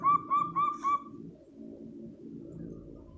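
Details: Local zebra dove with a booming call that prompts other doves to respond: four quick soft coos in under a second, then fading into low rumbling background noise.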